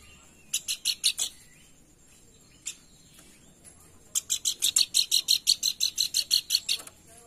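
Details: Pelanduk bukit lure call meant to prompt singing: a quick handful of high chips, a lone note, then a sustained, very regular run of sharp notes, about three per second, lasting nearly three seconds.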